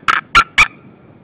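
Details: Female white-tailed eagle at the nest at Saunja, Estonia, recorded on an afternoon in March 2013. Three loud, harsh yelping notes come evenly spaced about a quarter-second apart, followed by quiet.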